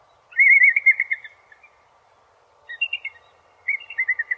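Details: Thin piping chatter from a bald eagle: a quick run of high, clipped notes that tails off. After a pause come two shorter bursts of similar twittering notes, over a low background hum.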